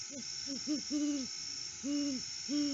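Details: At sunrise in August, off-season, a lone male Great Horned Owl at the nest tree gives a rapid stuttered run of short low hoots, then longer drawn hoots, six notes in all, with a faint constant background hum.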